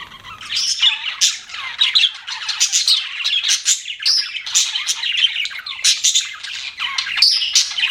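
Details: Pet budgerigars chirping: dense, continuous warbling chatter of rapid buzzy chirps and squawky notes, with quick rising and falling twitters overlapping throughout, several birds calling at once in an indoor setting.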